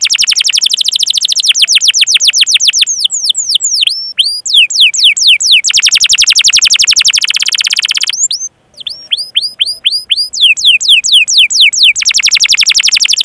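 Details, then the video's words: Canary long-duration song used to train other canaries: extended rapid rolling trills alternating with bursts of curved downward whistled notes, with two brief pauses. "Masteran Suara Burung Kenari Gacor Panjang cuit cuit Ngerol untuk Pancingan Kenari!"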